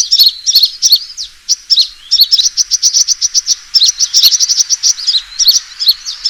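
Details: Sunbird fighting call as a lure, alternating sharp twittered phrases and fast high chipping trills in repeated bursts.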